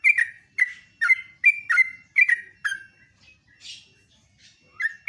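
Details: Sooty-headed bulbul morning song: seven crisp, slurred whistles spaced about half a second apart, then a quiet pause with a soft hiss before the singing resumes.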